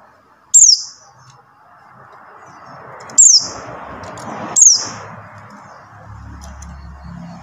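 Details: Buxtoni white-eye call used to stimulate silent white-eyes to sing. Three shrill notes each drop quickly in pitch at uneven gaps, with steady background hiss and a low hum near the end.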